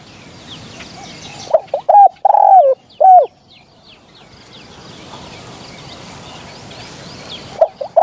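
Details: Hunting lure recording of a spotted dove: after a pause, a burst of clipped, mellow coos with one longer swelling note in the middle. Faint high chirps of other small birds fill the background, and a single coo returns at the end.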